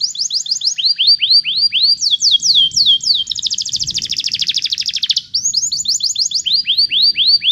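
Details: Canary song for teaching a canary to sing: series of quick down-slurred whistles, a steep sweeping tour, then a rapid rattling buzz lasting about two seconds before the whistled notes return, faint low rumble beneath.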